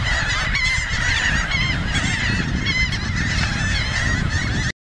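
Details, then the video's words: Laughing gulls feeding on a beach in Cape May County, New Jersey, with one Ring-billed gull nearby; continuous overlapping harsh, bending calls from many birds, backed by rumbling surf, ending abruptly. "Laughing Gulls Feeding"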